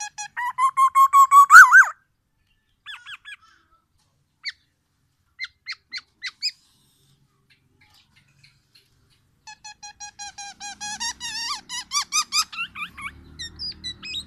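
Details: A tame black-naped oriole gives a two-second burst of rising, nasal, harmonic-rich notes, scattered sharp chips, then a quick run of squeaky rising notes, faint low rumble near the end.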